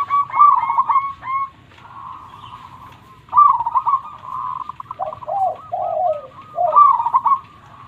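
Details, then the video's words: Local zebra dove with a powerful voice: clipped, repeated ticking notes flow into a long, rolling trill and then several soft, descending coos near the end. "Perkutut Lokal Gacor Suara Super besar"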